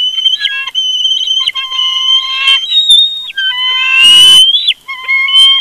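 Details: Bald eagle family squabbling at the nest, Big Bear live nest cam: a stream of loud, harmonically rich whistled squeals, some sliding up or down, with a burst of rustling flapping partway through.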